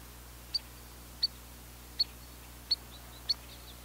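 A Spotted Sandpiper gives five sharp, high, whistled 'peet' notes, spaced about two-thirds of a second apart, over a faint low hum.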